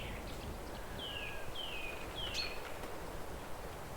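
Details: In a village setting with a playful calf nearby, a bird gives three or four thin, high, downward-sliding chirps about half a second apart over steady low rumbling background noise.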